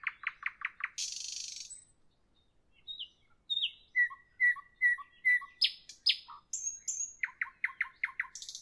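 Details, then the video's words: Evening nightingale song with fast repeated chopping notes, a rasping burst, then rhythmic whistled pairs, each high note followed by a lower one. The song ends in another rapid series of sharp notes, with no other sounds. "Evening nightingale, nightingale song, nightingale"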